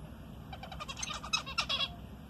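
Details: Zebra finch kept as a pet, answering its owner: a brisk string of short, nasal, harmonically rich notes, with several sharper, louder chips near the end, over steady low room hum.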